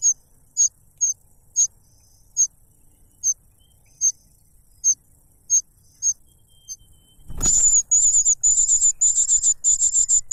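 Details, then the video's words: Cuckoo chick noisily grabbing food from its foster parent, which stuffs a butterfly into its mouth. Soft, high chirps spaced about half a second apart, then a loud burst of very high, buzzy, rapidly pulsed begging notes. "The cuckoo bird is too noisy when trying to grab food杜鹃鸟抢食太吵闹了"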